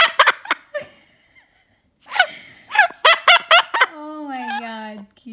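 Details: Pet severe macaw, a male aged a year and a half, mimicking laughter: quick clipped huffs and a run of evenly spaced laugh-like bursts, ending in a long, low, wavering nasal note that slowly falls.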